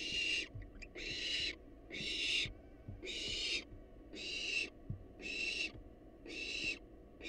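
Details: Wild barn owls at a monitored nest box, broad harsh hissing screeches about half a second long, repeated roughly once a second, with faint clicks and low background hum.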